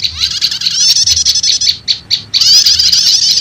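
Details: Prinia lure recording used to draw wild prinias: buzzy high chattering, a few isolated sharp chips, then a renewed rush of rapid trilled notes.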